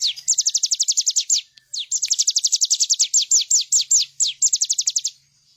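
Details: Bar-winged prinia in strong song, recorded as master material for cage birds: fast rolling series of high, downward-swept notes, briefly interrupted, then continuing with slightly slower, spaced notes before ending.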